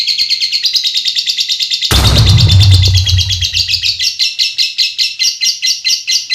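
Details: A lovebird keeps up a long, shrill ngekek trill of quick repeated pulses while a loud low rumbling knock intrudes for about two seconds midway, then the steady chatter continues alone.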